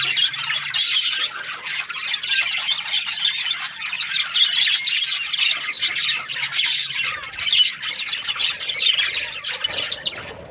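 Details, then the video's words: Budgies, Australian parrots, keep up a lively stream of overlapping chirps, squeaky squawks and warbling twitters for about ten seconds before the chatter thins and fades out at the close. "Australian parrot Budgies chirping sounds"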